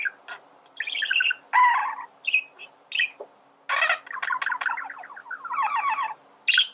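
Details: Song of a male budgie, used to teach birds to sing: rapid buzzy chatter with scratchy rising notes, squeaks and a long trilled phrase, the bursts split by short gaps.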